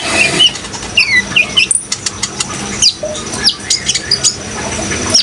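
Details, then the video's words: Sunbird (kolibri ninja) singing actively: sharp high whistles and quick chirps, some sliding downward, scattered irregularly through the passage, with a constant wash of running water behind. "suara kolibri ninja gacor"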